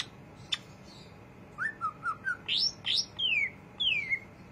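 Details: Greater green leafbird ngriwik chatter: a sharp tick, then four quick short whistles, two loud rising upslurs and two long descending whistled slurs.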